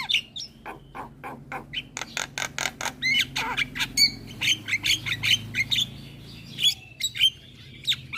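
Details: Very talkative Javan myna in continuous song: dense harsh rasping squawks in quick succession, then clear, sharp whistled notes repeated about once a second over a steady low background hum.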